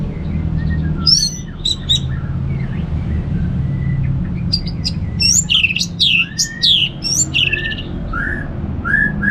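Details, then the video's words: Relaxed ngeplong song of an Orange-headed thrush from North Bali, for stirring kept birds to sing: lower mellow whistles mixed with scratchy high bursts and rapid chirping phrases, over a low background hum. "$uara ANIS MERAH Ngeplong Santai"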